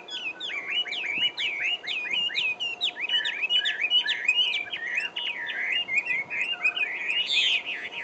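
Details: Taiwan hwamei, a bird endemic to Taiwan, pours out a rapid, varied run of loud whistled phrases, each a quick rising-and-falling slur, barely pausing for eight seconds, with a faint steady hum underneath.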